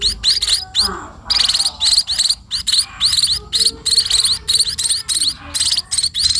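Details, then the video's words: Sparrows beg intensely while being fed, rapid raspy chirps packed almost continuously, pausing only briefly. "burung pipit diberi makan"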